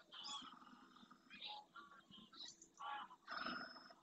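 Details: Wintering greylag geese flying in to land on a lagoon in the Doñana marshes, Spain, early morning; a series of short nasal honks and cackles from several birds, with brief gaps between bursts.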